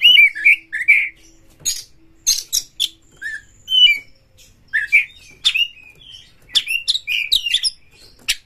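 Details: Oriental magpie-robin giving fast song meant to provoke other magpie-robins into full singing and tail-opening: varied whistled phrases, some rising and falling, between sharp broadband chips, delivered in bursts with short gaps and a faint steady hum beneath.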